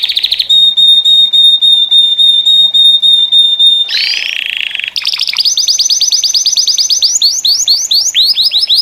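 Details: Several canaries, stated as saffron finches (Sicalis flaveola, 'canário-da-terra'), sing together in a group chorus: a long, steady, bell-like whistled note, a brief harsh burst, then fast rolling trills repeated several times a second.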